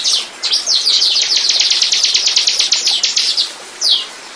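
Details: Bar-winged prinia song, a lure recording to attract birds: a high, quick series of repeated notes lasting about three seconds, ending with a single downslurred note after a short pause.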